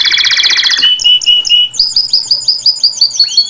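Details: Singing canary: a dense buzzy roll gives way to clear whistled notes, then a series of quick upswept notes repeated about four times a second.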